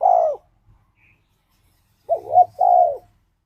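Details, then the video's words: Spotted dove (tekukur) in ngalas-style song, played as a lure to make a caged dove sing: a loud, mellow coo sliding gently downward, then after a pause a stuttering two-part coo ending in a long drawn note. "Suara Burung Tekukur Ini Pancingan Tekukur Gacor Suara Ngalas"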